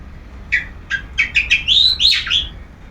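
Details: Sunbathing long-tailed shrike in ngeplong song: five quick separate chirps gather pace into a pair of louder sweeping, slurred whistles, over a quiet background.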